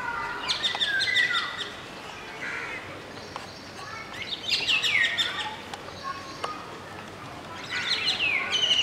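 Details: At Masab Tank in Hyderabad, filmed from a window, a golden oriole family of singing adult male, juvenile and two females; three bursts of liquid whistled phrases with falling slurs, separated by quieter gaps.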